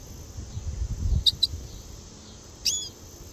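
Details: Red siskin (Spinus cucullatus) call: two quick high chips, then a brief twittering phrase a second later, over a low rumble of background noise.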